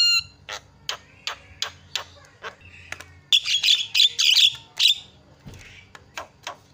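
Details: Javan myna, a loud, prolific singer, opening with a steady run of sharp clicking notes, then breaking into harsh, buzzy, squawking phrases and sputtering calls.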